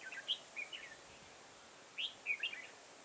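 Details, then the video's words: Red-whiskered bulbul at a garden trapping session, 9 October 2017: two quick clusters of clear, slurred whistled chirps, each a few notes rising and falling, separated by a short pause, with faint steady hiss behind. "Bẫy chào mào Đầu gấu nhất vườn ngày 9/10/2017 phần 1"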